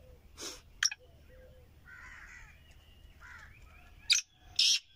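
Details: A Kohati king partridge, taken outside for the first time, gives the first call of the season: loud, harsh, scratchy bursts in two pairs, one early and one near the end, with softer mid-pitched notes and faint background murmur between.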